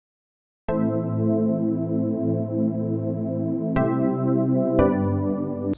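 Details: Sustained electronic keyboard chords, with no bird or other animal sound.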